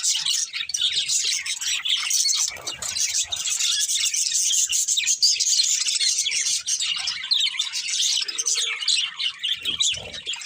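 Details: Constant chatter from several budgerigars: shrill chirps, buzzy warbles and squeaks blend into an unbroken, high-pitched din.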